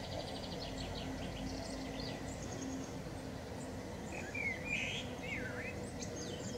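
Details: A common blackbird singing in the morning sun, described as having hiccups, gives a short, fluty, slurred whistled phrase near the end, over steady low rumbling and thin high chirps from other small birds.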